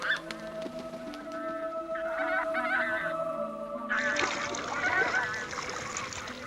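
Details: Wintering Brent geese on England's south coast, arriving from the far north and coming in to land to feed on eelgrass, give a low rolling babble of overlapping honks thickening into a dense flock chorus, over orchestral music.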